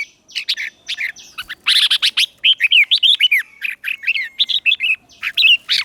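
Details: Red-whiskered bulbul used as a lure, singing to call wild birds to contest: energetic run of rapid chirps, trills and curling whistled notes, densely packed, with several brief pauses between bursts.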